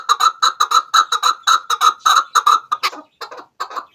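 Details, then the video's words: Chukar partridge, played as a hunting lure in Pakistan or Afghanistan, possibly a female: loud, rapid paired clucking chuk-chuk notes about three per second, then breaking into scattered, faster, weaker clucks near the end. "Chakor ki awaz |sound of kekliksesi partridge"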